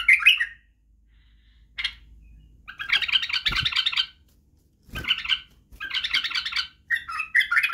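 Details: Singing Badrawi white-eared bulbul, played to train chicks to sing and wing-click: brief warbles, then a long rich chattering phrase, a sharp note and further bubbling, broken phrases with short silences.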